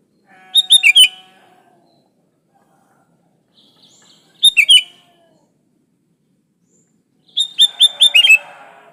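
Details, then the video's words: Sooty-headed bulbul singing energetically, unmixed song used to lure other bulbuls into singing: three cheerful phrases of looping, slurred whistled notes spaced a few seconds apart, with a faint low hiss behind the last phrase. "Suara burung kutilang gacor Asli tanpa isian Ampuh buat pancingan kutilang gacor"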